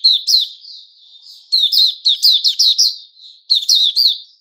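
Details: White-rumped shama known as Puteh Raja, a kept songbird recorded 29 August 2021, singing: bursts of short, bright chirpy notes with sharp high overtones, separated by softer sustained whistles and brief pauses, no other sounds.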